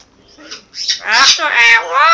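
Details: Pet Amazon parrot indoors, producing a short burst of harsh, voiced mimicked speech that starts with soft breathy sounds and swells into a loud, rasping phrase.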